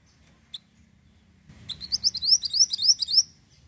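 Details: Ashy tailorbird song heard as a lure: after a single soft chip, a fast run of about a dozen bright, upward-sweeping whistled notes rises in loudness, then stops.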